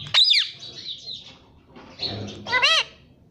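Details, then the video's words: Parrot calling: two loud harsh squawks with rising and falling whistled harmonics, separated by quieter rasping sounds, over a soft low background. "parrot voice"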